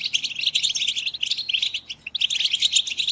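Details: Massed goldfinch chirping aimed at rousing goldfinches to song: a steady stream of high tinkling, slightly buzzy twitters from many birds, briefly thinning after two seconds then swelling again.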